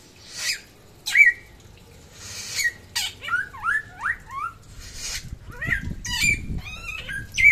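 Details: Active singing by a samyong of West Nusa Tenggara: bursts of hissy noise between brief sharp whistles, then a quick cluster of twisting whistled notes, with soft rustling below.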